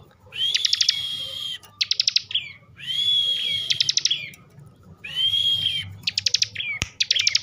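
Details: Bar-winged prinia, a kept bird in Slawi, Tegal, Central Java, delivers excited ngebren song: steady high whistles broken by fast machine-gun rattles, in repeated phrases roughly every one and a half seconds, with a single sharp tap near the end.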